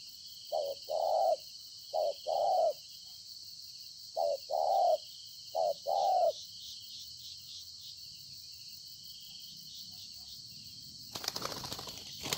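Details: Spotted dove, a wild-caught bird, recorded 26 September 2020, gives four soft coo pairs, short note then longer one, in bursts, then falls silent before a loud rustling noise at the end; a high drone continues.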